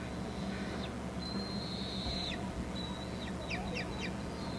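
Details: Bald eagle chicks at a nest on Hornby Island as an adult arrives with food: long thin whistled notes held high and steady, then a quick run of short sharp downward-slurred squeaks near the end.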